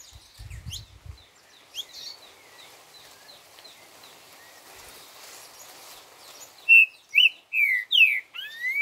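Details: Green-winged saltator song in a rural setting, ending in a loud series of five or six clear, slurred whistled notes, some rising and some falling, after softer scattered chirps from other birds; a brief low thump near the start.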